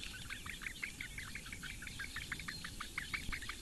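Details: Four Eurasian bittern chicks being fed by the female at a webcam nest in the reedbeds of Lake Engure, Latvia, on a May morning; a dense stream of rapid, high chirping notes repeated several times a second.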